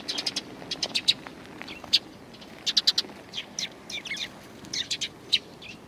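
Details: A group of sparrows, one with a hurt leg, gathering to meet someone walking out on 7 April 2020. Short sharp chirps come in loose clusters of two to four, scattered unevenly, with faint hum behind.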